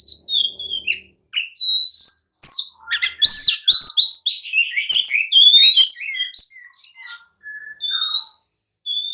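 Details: Oriental magpie-robin in an agitated, provocative singing bout aimed at rousing others to reply and fight, clear whistled notes mixed with scratchy chatters and quick rising slurs, a few soft whistles trailing off.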